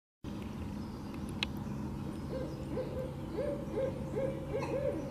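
A barred owl gives a quick run of six or seven short, mid-pitched hoots, each rising then dropping, over a steady low background hum.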